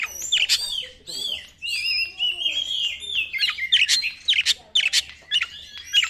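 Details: Lure song of a white-rumped shama meant to stir other birds, dense mix of bright whistled slides and quick harsh chips, bursts separated by short pauses, a low steady hum in the background.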